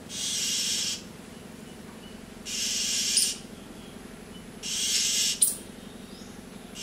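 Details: Oriental magpie-robin giving an alarm call after seeing a rat snake, warning other birds: harsh, hissing rasps, each about a second long, three times at roughly two-second intervals over a faint low hum.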